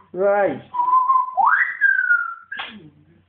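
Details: Pet African grey parrot indoors, described as going a bit mental: a nasal, buzzy vocal burst, then a level whistle and a rising whistle that slides gently down, ending in a short rough note.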